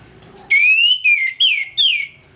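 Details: Orange-headed thrush morning song used as a lure to provoke aggression: four clear whistled notes, the first long and rising, then shorter falling slurs, with rich harmonics, delivered in a quick run over under two seconds.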